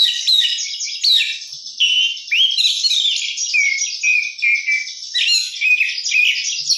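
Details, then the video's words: Oriental magpie-robin (kacer) in full continuous song with rich 'isian' fill-in phrases: high, varied whistles, rising sweeps and rapid twittering notes run together with hardly a pause, and sharp slurred accents throughout. "kacer gacor isian mewah"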